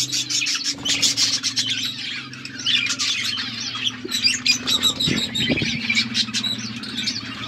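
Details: Many budgerigars calling together in an aviary: squeaky chirps and harsh squawks pour out nonstop over a low constant mechanical hum, with a couple of louder thumps midway.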